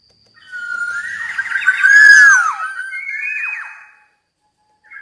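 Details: Black-naped oriole delivering a long, continuous run of mellow whistled notes that swell to a loud arched peak mid-phrase before trailing into softer slurred notes.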